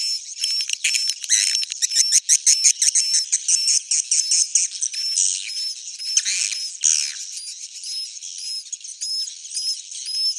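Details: Edible-nest swiftlet suara inap roosting call to attract swiftlets: fast rattling bursts of chirps early on, followed by neatly spaced, short high whistled notes about twice a second over soft background chatter.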